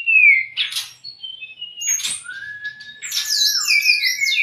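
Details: White-rumped shama, a tutoring and provoking song recording for untrained or stressed birds: a descending whistle, buzzy bursts, then a long flat whistle followed by a cascade of high sliding notes.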